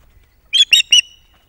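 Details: Mother osprey guarding chicks at the Loch of the Lowes nest on an evening in June 2021, alert to an unseen intruder. She gives three sharp, high, fierce warning shrieks in rapid succession, then quiet.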